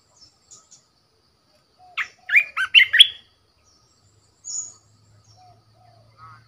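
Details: Decoy red-whiskered bulbul delivers one quick phrase of about five warbling, bouncing whistled notes, followed by a faint high chirp and near silence.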